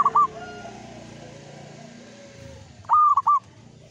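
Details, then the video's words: Local zebra dove in Mataram ngepat rhythm: a brief coo pair at the start, a long lull with faint low hum and distant calls, then one loud phrase of a long coo followed by two short coos. "Perkutut lokal gacor IRAMA NGEPAT MATARAM"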